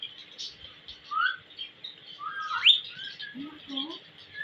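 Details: Pet ringneck parrot giving short whistled chirps and a sharp rising squeak, followed by soft low warbling notes, with quiet background.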